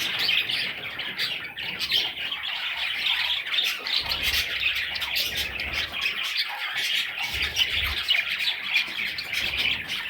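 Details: Several parrot chicks chatter without pause for ten seconds, a thick layer of raspy high squeaks and tweets, broken only by soft low knocks now and then.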